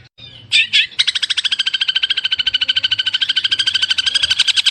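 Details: Long-tailed shrike, masteran training song: two sharp opening notes, then a long, fast, buzzy rattling trill of evenly pulsed notes that grows slightly louder to the end.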